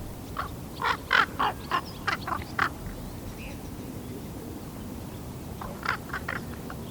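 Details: Young raven aged 13 and a half weeks experimenting with its voice: a rapid run of about eight short, rough croaks in under two seconds, then a pause and a softer trailing cluster of three.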